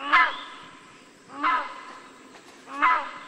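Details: Rhinoceros hornbill giving three loud, harsh, honking calls rich in harmonics, each short and slightly falling, spaced about 1.3 seconds apart over a faint steady background hiss.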